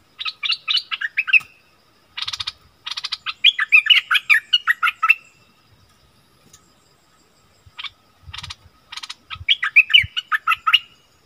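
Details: Wild striated bulbuls arguing, 8 February 2021. Rapid phrases of bubbly, slurred notes in several bursts, with a quieter gap of about two seconds in the middle before the chattering resumes.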